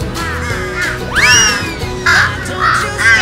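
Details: A young wild crow, which follows a woman in black like a mother and begs her for food, gives a few harsh, hoarse caws in short bursts about half a second apart, over soft background music.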